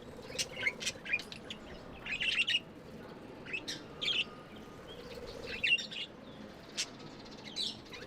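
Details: Pet budgerigars chirping: short scattered bursts of high, sharp chirps every second or so, with quieter gaps between and a faint steady hum in the background.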